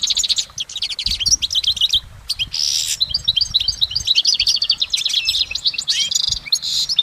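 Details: Goldfinch song recorded in nature, continuing without pause: bright, high chirps and twitters in quick succession, a short harsh buzzy burst midway, then more varied tinkling phrases over faint low thumps.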